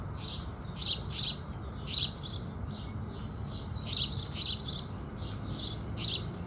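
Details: At sunrise, house sparrows chirp in quick pairs and singles, bright and high-pitched, with softer chirps between the louder ones and a low background hum throughout.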